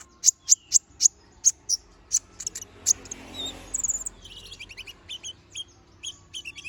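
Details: Little spiderhunter song: a series of evenly spaced piercing high chips, then softer rapid twittering notes over a faint hum.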